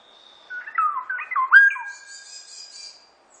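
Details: Black-naped oriole delivering a run of mellow, slurred whistles that climb to a loud, bright peak note. A soft, high twittering trails after it.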